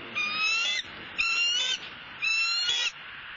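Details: Female bald eagle squawking while following her mate to the nest as he brings a fish gift, Southwest Florida, November: three strained, nasal calls of under a second each, repeated about once a second.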